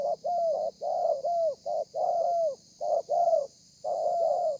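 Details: Spotted dove delivering a thổ pha style cooing song, dated 30/11/2020: dense run of low, mellow coos in short-long groupings, almost without pause, over a constant faint hiss.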